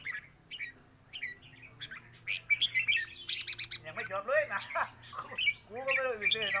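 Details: Caged red-whiskered bulbul singing in a competition where song phrases are counted: short, bright warbled phrases, some rising and falling, separated by brief pauses, with people talking in the background.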